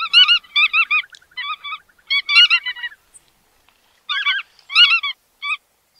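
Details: Bar-tailed godwit giving clipped, nasal, yelping notes in rapid clusters for about three seconds, then a silent gap, then a few more scattered calls. The recording is clean, with no background noise.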